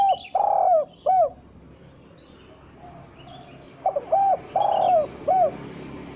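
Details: Spotted dove giving a lure call that draws wild doves and imitates calling to a female: two groups of mellow, low coos, each a short note, a long drawn coo and a clipped final note, with a quiet gap between and faint high bird chirps.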